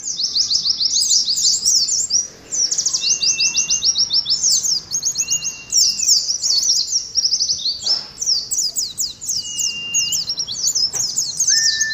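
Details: Oriental white-eye in ngalas competition style, sung for caged colony birds: a long, dense run of very high, rapid downslurred twitters, broken by brief pauses, with several thin, steady whistles held lower and a sharp click near eight seconds.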